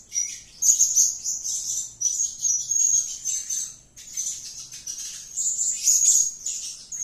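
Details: Blue-crowned hanging parrot in full voice, pouring out shrill, very high-pitched twittering chirps in quick clustered bursts, with a lull near the middle before the calling resumes.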